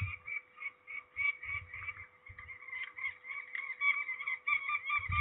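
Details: Peregrine falcons at Trzebież, Poland, recorded 13 May 2019 during ringing: harsh, harmonic calls repeated steadily through the whole stretch, overlapping and slightly varying in pitch, with low thumps of handling noise underneath.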